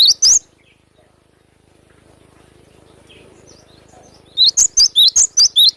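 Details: Cinereous tit in the wild giving sharp, vigorous besetan song: two shrill high notes at first, a quiet pause with faint distant chirps, then a fast run of about eight piercing, twisting whistles repeated roughly every fifth of a second.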